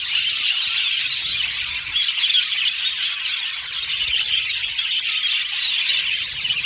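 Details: Budgerigar colony in an aviary, a continuous mass of high chirps, warbles and squawky notes from many birds, level and unbroken.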